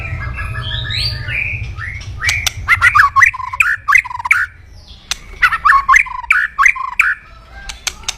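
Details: Loud kretekan crackling from an aggressive white-rumped shama, meant to provoke rivals: two bursts of harsh chattering notes laced with sharp clicks, separated by a short pause, over a low hum.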